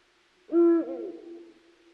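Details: Eurasian eagle-owl (Bubo bubo), hoot.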